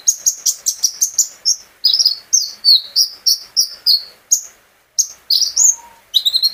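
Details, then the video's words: Caged sunbird song used as a lure so other birds join in: a quick chain of sharp high chips, then slurred descending whistles, with one short break. "burung konin gacor pancingan terapi burung kolibri ninja agar ikut gacor"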